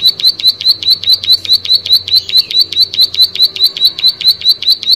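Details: Plain prinia in energetic song, a long, even series of bright, high, ticking notes delivered about four or five per second without a break. The background is quiet.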